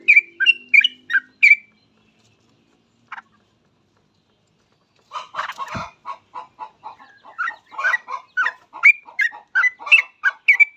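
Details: Yellow-vented bulbul singing in a lively, chattering run of short warbled notes, a pause, then a faster burst of bubbling phrases, used as a lure to prompt other bulbuls into song.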